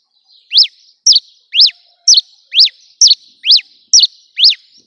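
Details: Cravina from Rio Grande do Norte, Brazil, singing on a hand: a steady series of about two high notes per second, alternating a clipped downward chip and a swooping arched whistle, bright and repetitive, with little else audible.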